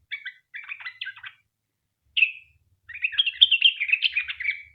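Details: Sooty-headed bulbul in full song, played to coax other bulbuls to answer: a short chattering phrase, a pause, one sharp note, then a long rapid jumble of bright twittering notes.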